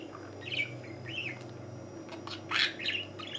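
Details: Chirruping from a cheerful hand-tame budgerigar inside a home: rising and falling squeaky notes, one curved whistle, then a louder harsh chirp near the end, with a steady background hum.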